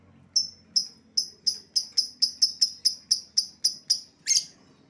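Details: Lovebird call used to lure back an escaped bird: a steady series of about a dozen sharp, high ticking chirps, roughly three per second, ending in one harsher burst.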